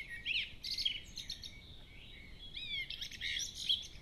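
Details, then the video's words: Dawn chorus of several birds at 4am on 10 June 2015 in Cambridgeshire, UK: overlapping high whistles, chirps and rapid trills, with sharp downslurred notes near the middle and end and a quiet rural background. "Birds sing"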